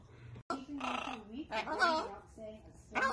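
A Hyacinth Macaw talks in short, human-like phrases with a hoarse, nasal tone, pausing briefly between bursts, in a quiet room.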